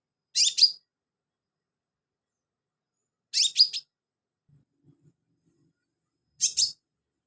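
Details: Actively singing sunbird, its song used as filler for training cage birds: short, high, scratchy double chirps repeated roughly every three seconds in near silence, with faint low knocks.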